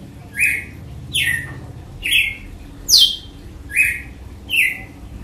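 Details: Six strong, whip-like descending notes of a red-cowled cardinal's açoite song, evenly paced about every eight tenths of a second against a quiet background.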